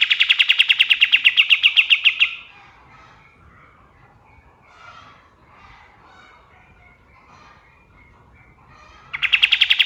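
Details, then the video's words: White-shouldered triller male singing at dawn for songbird training: a rapid trill of sharp repeated notes, a pause of about seven seconds with faint distant chirps, then the trill starts again. "SUARA KAPAS TEMBAK SUBUH"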